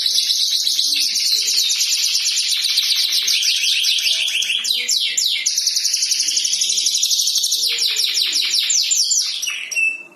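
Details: Canary in powerful, nonstop song: a loud, unbroken stream of fast high trills and rolling rattles, shifting between quick sweeping phrases, with buzzy stretches and a brief pause near the end.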